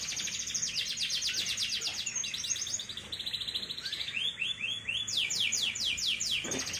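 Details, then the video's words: Young canary of about three months delivering rapid rolled trills, a buzzy middle passage, then a series of loud descending slurred notes around five per second before returning to a fast trill. "MASTERAN KENARI PAUD AGAR NGRIWIK PANJANG"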